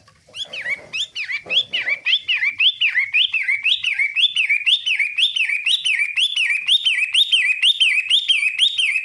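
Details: Long-tailed shrike song: a long, rapid run of bright whistled notes that fall and rise again, roughly two per second and loud throughout. A little low rustling is heard in the first two seconds.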